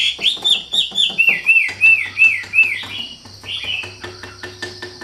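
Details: Wambi singing vigorously: a fast run of short, arched whistled notes, nearly three per second, then a louder slurred note and scattered ticks. A low electrical hum and a steady high hiss sit underneath.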